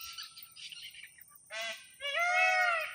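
A red-wattled lapwing gives a short harsh, nasal note, then a longer drawn-out strident cry. Faint chirps and twitters are heard beforehand.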